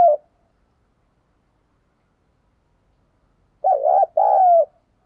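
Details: Spotted dove urging and calling coo, played to lure wild doves: a clipped coo at the start, long silence, then a paired phrase of a quavering coo and a smoother drawn-out one.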